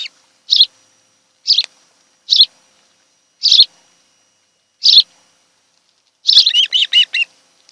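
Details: At an osprey nest on Kent Island, Maryland on a summer afternoon, single piercing chirps come about once a second, ending in a rapid run of five bouncing whistled notes.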